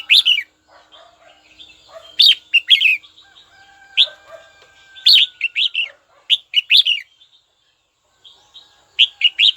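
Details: Captive red-whiskered bulbul calling a rival with repeated short phrases of bright, slurred warbling notes over nearly ten seconds, quieter chatter and a faint steady tone in the background.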